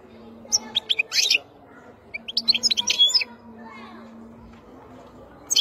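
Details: European goldfinch, a wild bird, singing in short bursts: quick high twitters and buzzy notes, a pause of about a second, then another twittering phrase and a final burst.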